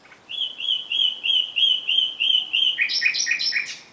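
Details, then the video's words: Nightingale song at night: a clear note repeated about ten times in an even, rapid series, then fast, varied, chattering phrases that leap between high and lower pitches, with a still background. "Κελάηδημα Αηδονιού στη νύχτα ( Nightingale )"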